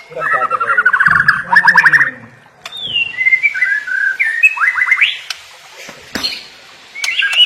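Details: White-rumped shama song opening with a rapid stuttering rattle of repeated notes, then scattered whistles and a short series of upslurs, with clicking noises in the background.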